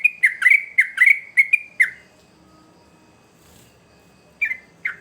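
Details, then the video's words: Yellow-vented bulbul (trucuk) singing vigorously, used as a lure to train young birds: a quick burst of bright, slurred notes dipping and rising, then a pause of over two seconds before two more notes. "Trucukan Gacor ngamuk Pancingan Terbaik Untuk Burung Paud"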